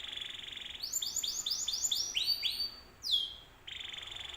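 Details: Canary song meant as a lure to draw other canaries into answering: a buzzy high trill opens, then a run of about ten quick rising-falling whistled notes, a sharp downward sweep, and the trill returns.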